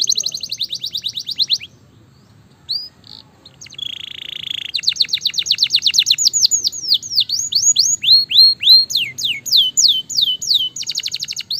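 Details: Gloster canary, a fighter bird, in fast song: a high rapid trill, a pause, a buzzy rattle, then long runs of quick downslurred whistles several per second and a closing trill.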